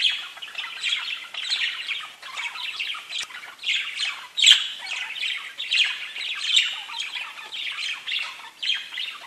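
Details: Parakeets talking to each other in a constant stream of chirps, chirrups and whistles, a sign of contentment; rapid overlapping scratchy notes in uneven bursts, roughly one louder squawk every two seconds.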